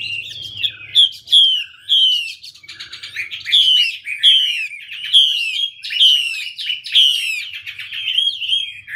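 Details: Hwamei song while a female dances with fanned feathers to fire up the male: clear, powerful whistles in repeated downslurred phrases about once a second, mixed with rapid rising and falling trills on a quiet background.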